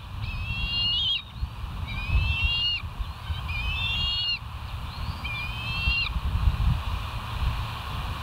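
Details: Bald eagles, West End nest camera, 07:12 on 09/06/2023: four moderate, thin whistled calls with a stepped, slightly rising shape, spaced about a second apart over heavy low rumble.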